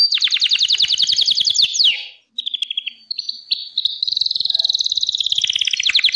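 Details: Gloster canary singing a fast rolling trill of rapid repeated notes, breaking into a short lower steady tone and then a long even trill that speeds up toward the end.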